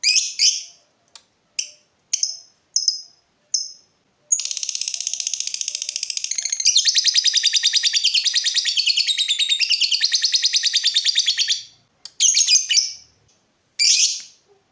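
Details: Lovebird described as vocal and lively, used as a tutor for other lovebirds: a few sharp high chirps, then a long rapid metallic chatter of fast repeated notes lasting about seven seconds, followed by more scattered shrill chirps.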